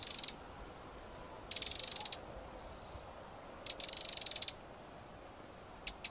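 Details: Eurasian wren: repeated harsh, churring rattles of roughly half a second, spaced about two seconds apart, ending with two brief clicks.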